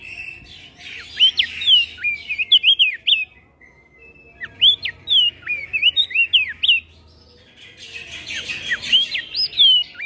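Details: Javan grey-throated white-eye giving lively ngeplong song in exchange with other birds: three bursts of high, clear whistles slurring up and down, separated by short pauses, over busy background chirping and twittering.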